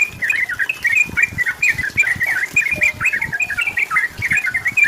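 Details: Sooty-headed bulbul singing to pressure a rival and make it answer: a steady stream of cheerful, bubbly, wavering whistles in short connected phrases, with soft thumping in the background.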